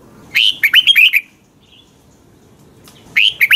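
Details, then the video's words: Red-whiskered bulbul giving a morning training song: a clear phrase of upslurred and looping whistles, a quiet pause, then the start of another similar phrase. "Luyện chào mào hót sáng"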